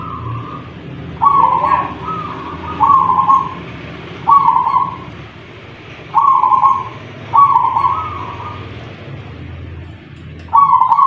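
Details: Local wild-caught zebra dove from Tuban, East Java, taken from a punden and raised from young, with a prized 'kung' voice. Soft, rolling coos near one pitch, repeated in phrases roughly every one to two seconds over low background hum.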